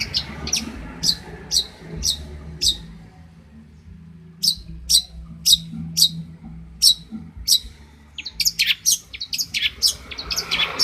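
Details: Champion long-tailed shrike from Banyuwangi, Indonesia, recorded as a tutor for songbirds: sets of crisp high chirps, a short silence, then evenly spaced notes and a busier rapid chatter at the end, with low background noise.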